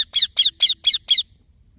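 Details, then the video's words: Baby green parrot giving five raspy, high-pitched chirps in a quick, even series, each short and buzzy, followed by quiet. "Green Baby Parrot Chirping Sounds"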